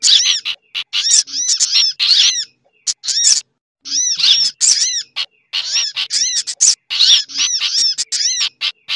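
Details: Busy sunbird lure mix meant to draw birds in, blended with other species such as a chattering bulbul; rapid clusters of shrill chips and stacked curved whistles follow one another almost without pause.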